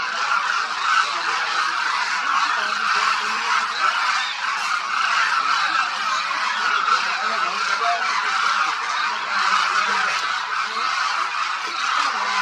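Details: Thousands of Demoiselle Cranes feeding and moving in a vast flock at Khichan Bird Sanctuary, Khichan village, Phalodi, Jodhpur district, Rajasthan, India, in winter; a dense, continuous chorus of overlapping trumpeting, honking calls with no pauses.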